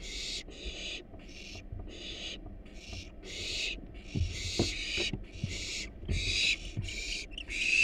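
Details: Hungry wild barn owl chicks in a research nest box, eating a rat and rabbit, give rough rasping hisses in overlapping bursts of roughly half a second, with scuffing and knocking noises below.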